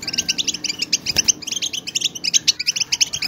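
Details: European goldfinches, a large group making stimulating twitters meant to rouse silent goldfinches into strong singing; dense, fast, bright chattering notes repeated several times a second, with many birds overlapping continuously.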